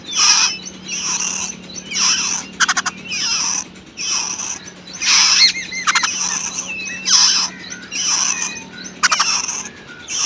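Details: Wild babbler feeding its chicks at the nest: harsh, raspy, hissing bursts about every second, roughly a dozen in ten seconds, broken by several rapid ticking rattles.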